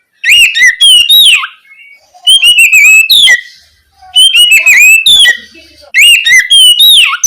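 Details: Night song of an Oriental magpie-robin meant to trigger young spotted magpie-robins to reply: four bursts of lively whistled and trilled notes, each about a second and a half long, with quiet gaps between.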